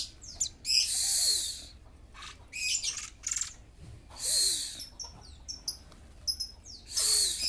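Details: Kacer, or Oriental magpie-robin, in full breeding condition (kembung, mbagong), singing long harsh scratchy phrases interspersed with quick high chips and sharp downslurred notes, the harsh bursts returning about every one and a half seconds.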